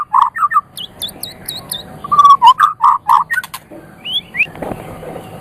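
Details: Caged white-rumped shama song, kept as a pet songbird for training other birds: rich whistled notes near one pitch in quick bursts, then sharp high clicks, upslurred whistles and a short rattle.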